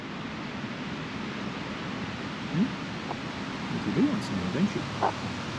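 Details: Low murmuring human voices over a steady rushing hiss like water or surf, with no animal calls heard.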